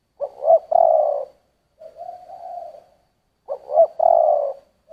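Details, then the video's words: Spotted dove cooing in the giọng thổ voice: a strong stuttering double note running into a long throaty coo, then a softer wavering coo, with the loud phrase repeated. "Tiếng chim cu gáy giọng thổ"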